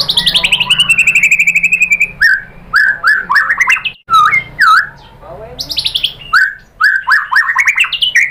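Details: White-rumped shama (murai batu) lure song aimed at drawing out 'tembakan' phrases: a fast buzzy trill sliding downward, then loud separate whistled notes, some sweeping up and others dipping, with short gaps between.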